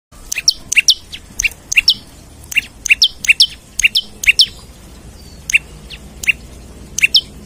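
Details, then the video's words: Olive-backed tailorbird singing vigorously while seeking a rival, used as a lure and tutor for other birds: quick pairs of sharp high chips, one lower and one higher, repeated in bursts over a faint low background hum. "Prenjak Lumut Gacor Nembak Cari Lawan Buat Pancingan/Pikat/Masteran Ampuh"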